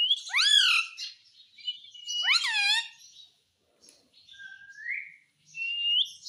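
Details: Talking Indian ringneck parakeet, saying Hindi words like "mummy": two strong harmonic, sweeping speech-like phrases, then a quiet pause and two thin rising whistles.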